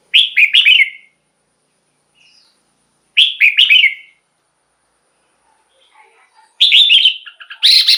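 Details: Red-whiskered bulbul song meant to excite caged birds: two short phrases of quick bright whistles three seconds apart, then a longer, denser burst of rapid chirping notes.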